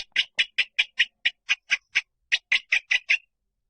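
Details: Rail call for luring: a long, regular series of about sixteen harsh ticking notes with a brief gap midway, fading out near the end.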